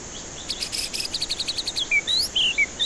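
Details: White-rumped shama singing, offered as a lure for stressed birds reluctant to sing: a quick high rattle of repeated notes followed by loud, slurred whistles rising and falling.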